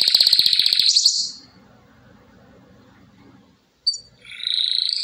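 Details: Canary gives a fast high rattling trill for about one second, followed by a quiet stretch with low background hum, then a short buzzy burst of song at the end.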